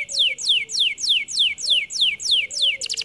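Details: Canary in full song giving steady, evenly spaced downslurred whistled notes, about three per second, ending in a quick rattling burst.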